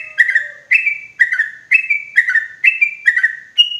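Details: Sooty-headed bulbul trapping lure for forest use, loud and clear: evenly spaced, warbled double notes repeated about every half second, ending on a single higher note.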